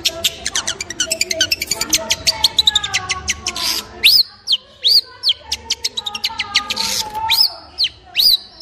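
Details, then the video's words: Long-tailed shrike with loud arched whistled notes repeated in the second half, over a dense background of rapid clicking chirps from other birds. "Long Tailed Shrike With Beautiful Sound"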